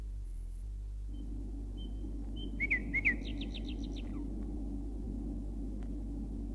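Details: Male common nightingale song, from Bulgaria: a few pure, high whistled notes lead into a quick burst of rising slurs and a rapid run of sharp notes, over a steady low hum.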